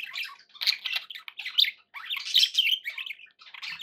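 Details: Dense, nearly nonstop budgie chatter indoors: scratchy warbles, sharp chirps and buzzy trills overlapping with hardly a pause.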